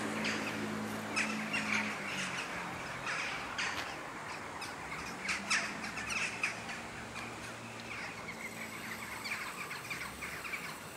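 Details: Western jackdaws gathering in large numbers at sunset before sleeping in trees, The Hague, Netherlands, October 2015; scattered sharp, chattering calls from many birds over a steady low engine-like hum.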